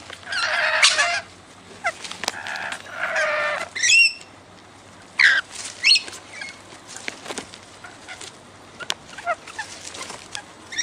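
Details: Regular wild rainbow lorikeet visitors feeding on raw sugar let out loud, grating screech bursts early on, then shorter squawks and rising shrill notes among clicking and tapping sounds.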